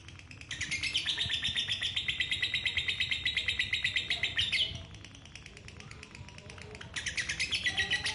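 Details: A female lovebird pours out a long, rapid, buzzy chattering trill, very fast and high, with runs said to last up to two minutes, pausing briefly before starting again.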